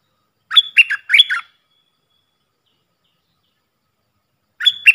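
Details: Call of a decoy Puff-throated bulbul used to train hand-reared young and fledglings: three quick, jumpy chirps, then about three seconds of quiet before the phrase returns.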